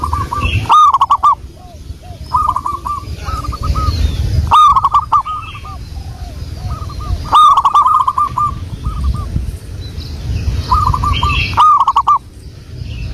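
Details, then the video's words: Local wild zebra dove song used as a lure: bubbly, rolling coos near one pitch, delivered in short stuttering phrases that repeat every few seconds, with sharp clicking bursts between phrases and a low rumbling background. "pancingan burung perkutut Lokal alam"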